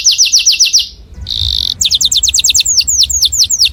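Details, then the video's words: Canary song played loudly for imitation by other birds: rapid down-slurred whistles, a brief pause, a short steady buzzy note, then another quick series of falling whistles. "O SOM DO CANÁRIO SOM ALTO DE OUTRO PÁSSARO PARA IMITAR"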